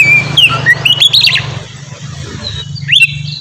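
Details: Oriental magpie-robin singing in the ngeplong style, used as a lure to get untrained magpie-robins singing; a few clear high whistled notes and slurred phrases early on, then quieter, over a steady low hum.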